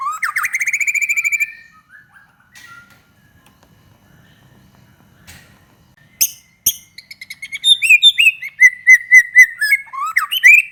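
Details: White-rumped shama lure song aimed at getting other shamas to sing: a rapid rising trill, a long quiet gap with a few clicks, then an energetic stream of varied chattering and whistled notes.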